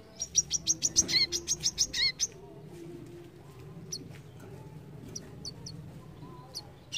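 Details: Brown-throated sunbird singing in quick bursts: a rapid string of about a dozen sharp, high chipping notes, then a pause broken by a few isolated thin squeaks, with a low droning hum behind.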